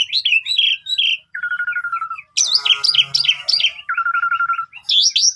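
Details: Asian pied starling (jalak suren), in full song in the morning: a varied, nonstop jumble of bright whistles, buzzy rattling runs and harsh chattering notes, with no other sounds.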